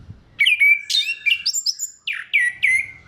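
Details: Vigorous orange-headed thrush song, played to stimulate other thrushes to sing. Clear rich whistled phrases come in quick succession, several dropping sharply and then levelling off, with short rising slurs between them.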